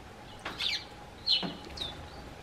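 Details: A Eurasian tree sparrow on a garden bench calls out to the man who has just come outside; two bright, sharp chirps about a second apart, followed by a softer third note.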